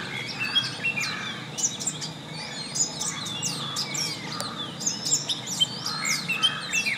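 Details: A long-tailed shrike (Lanius schach) sings a busy run of sharp, high chirps and quick downslurred notes, jumbled and almost continuous, over a faint rural hiss.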